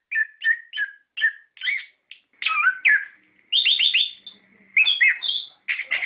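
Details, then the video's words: Orange-headed thrush lure song to encourage captive birds to sing. Short, repeated two-note chirps open the clip, then richer warbled whistles and rapid trilled runs follow. "Pancingan Suara Burung Anis Kembang Gacor Ngeplong Ngerol"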